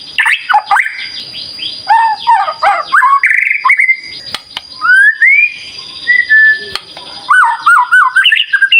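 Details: Loud, rich song of a white-rumped shama, used as a lure to make caged birds answer, with swooping whistles, trilled phrases and repeated slurred notes over a constant high hum.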